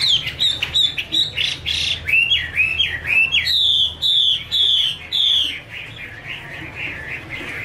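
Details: Female Chinese hwamei in 'te' style, a male singing in the background: loud slurred whistles, falling and rising, repeated about twice a second, then softer, lower phrases toward the end.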